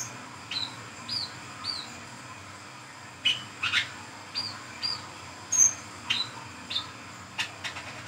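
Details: Brown-throated sunbird, known locally as wiceh or kolibri kelapa, singing in the lively ngriwik ngeplong style at night as a lure for catching birds. Short, thin, high chirps come every half second or so, mixed with sharp clicks over faint hiss.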